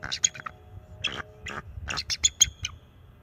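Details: Bald eagle pair defending their nest from a perching owl, the young male calling to warn it off, nest camera, March 7, 2024; rapid high chittering notes in short bursts with ringing overtones, several clustered near the end.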